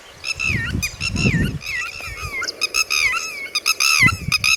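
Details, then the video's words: Red-wattled lapwing (tateri) with chicks: continuous sequence of piercing, rising-and-falling harmonic notes, growing more clipped and rapid toward the end, with some low thumps underneath. "Red Wattled Bird Singing And Red Wattled Chicks (ٹٹیری )"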